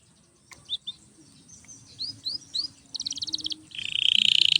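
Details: Canary song used for training other canaries: a few scattered sharp upswept notes, then a rapid bright trill and a dense buzzy roll at the end.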